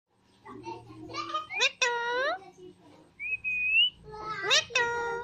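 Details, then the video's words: Two pet green Alexandrine parakeets talking and dancing indoors. Voice-like bursts with stacked harmonics mixed with sharp upward-sweeping squeaks and a short rising whistle, in a small room. "Funny Green Alexandrine Dancing And Talking Parrots"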